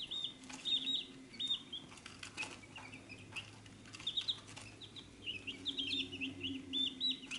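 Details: Chicks at a feed dish: scattered, thin, high, downslurred peeps over a steady low hum, with soft pecking clicks throughout.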